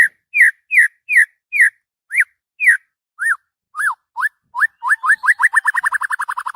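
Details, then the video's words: Excited white-rumped shama singing in the morning: spaced, rising-falling whistled notes that gradually quicken into a rapid accelerating trill of short repeated whistles. "SUARA MURAI BATU KICAU MANIA PAGI NAIK EMOSI OVER GACOR"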